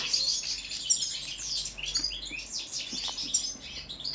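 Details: European goldfinch, Balkan subspecies balcanica, singing in a song check: lively tinkling phrases of quick downward-sweeping notes and sharp chips, delivered in rapid clusters with brief breathing gaps.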